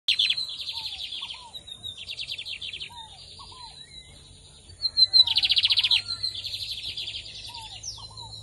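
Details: Lined seedeater (bigodinho) singing. Buzzy, rattling bursts repeat in short phrases with brief gaps and a loud burst mid-way; soft whistled slurred notes sound underneath, with a low steady hum.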